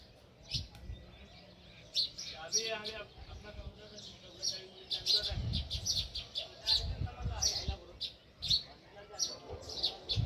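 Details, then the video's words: Sparrow chirping near its nest: many short, high chirps in irregular bursts across ten seconds, with a brief lower, harmonic sound mixed in early on. "Natural Sparrow View | Chirping Sounds"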